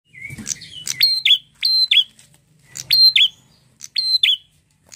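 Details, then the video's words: Red-headed prinia in full song, repeating a two-part phrase about once a second: a level piercing whistle followed by a swooping downward note, with ticking clicks layered over it. "prenjak apapun langsung nyautt gacor dengan prenjak gacor ini"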